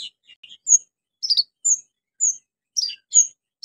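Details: Orange-headed thrush singing loudly, used as a lure for birds gone quiet: a sequence of brief high whistles and quick descending chirps spaced roughly half a second apart, background otherwise silent.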